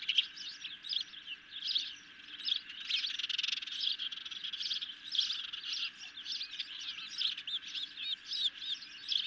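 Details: Ospreys at a nest are brought a medium-sized fish late on 10 July 2021, heard through a nest camera. Softer, rhythmic piping chirps repeat steadily throughout, over a low, constant electrical hum.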